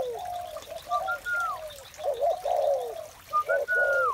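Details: Spotted doves calling in the morning: low, mellow, throaty coos that rise and fall in short phrases. Brief, clear whistled notes sound higher above them, sliding downward.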